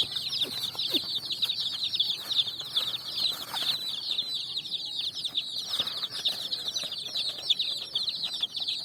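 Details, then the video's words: Colored chicks jumping and running on sand while chirping in a busy chorus of thin, high, downslurred peeps; scattered soft scuffs and flutters of movement mixed in. "Chicks Chirping"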